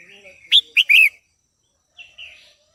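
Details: Female red-whiskered bulbul singing to stimulate a male: a low warble, then a burst of sharp, loud chirps in quick succession, and after a pause a softer slurred phrase.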